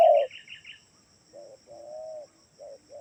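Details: Spotted dove call played as a lure so doves at home call back: a loud opening coo and fluttery high chirps, then soft low coos, one long and steady, with a thin high whine in the background.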